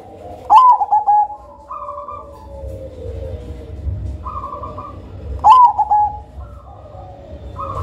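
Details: Zebra dove of the black Majapahit variety, noted for a thick, ringing voice and a soothing rhythm, used to lure other birds. Two song phrases come about five seconds apart. Each starts with a sharp rising note, then soft rolling coos and flat tones.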